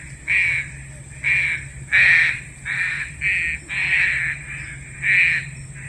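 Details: Green pigeon sounds used as a lure in bird trapping: a chain of about nine rough, level-pitched notes, a few longer and stronger, spaced close together over a quiet low hum.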